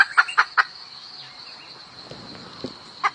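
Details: Hen calling the rooster with a few sparse clucks at the start and end, separated by a quiet gap, with high insect hum and faint background sounds.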